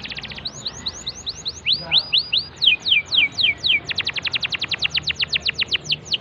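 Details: Canary song for prompting a silent canary: quick notes, then series of rising and falling whistled sweeps, followed by a long rapid run of sharp descending notes repeated about four times a second.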